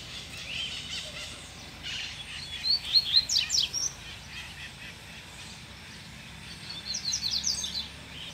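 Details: Double-collared seedeater singing with renewed vigour after being stimulated by a female: two bursts of rapid, high, twittering notes mixed with sharp chips, separated by a quiet pause, over faint outdoor noise.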